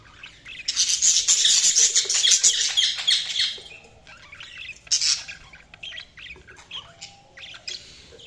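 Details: Budgerigars chirping in a loud, sustained run of fast buzzy chatter lasting about three seconds, then scattered high squeaks, a sharp squawk and softer twittering.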